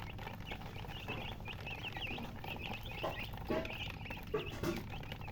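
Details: Thirsty poultry chicks, coloured baby chickens wanting drinking water, keep up a busy flock chorus of quick high peeps. A few lower, louder squeaky notes break in near the end over a constant low background hum.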